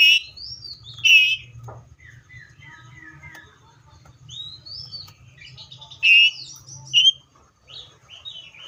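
Seychelles magpie-robin singing loud, rich whistled phrases with sweeping notes, some short and sharp, others slurred, in bursts every second or so; a low hum runs underneath.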